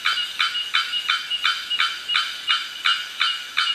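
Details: Bearded bellbird at the Asa Wright Nature Centre, Trinidad, giving a rapid series of loud, explosive, clanging notes, about three per second, steady and evenly spaced.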